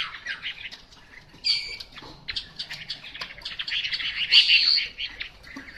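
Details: Chinese hwamei, untrained, sings a quieter, busy mix of scratchy chatter and short whistles, punctuated by a few louder piercing high notes.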